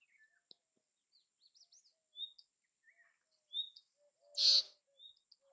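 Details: Song of the bay-backed shrike: a scattered medley of short high squeaks, whistled chips and trills, interrupted by a single loud harsh rasp, with other quiet notes spread throughout.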